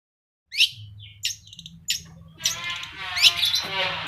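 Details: Long-tailed shrike singing despite engine noise: sharp high chips and short phrases, then a loud rapid chattering burst, over a steady low mechanical hum.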